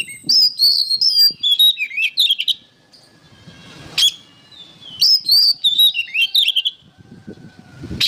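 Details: Songbird training recording of an oriental magpie-robin: two bursts of rich whistled song, each about two seconds of rapid slurred and warbled notes high in pitch, separated by a quiet pause with a sharp click.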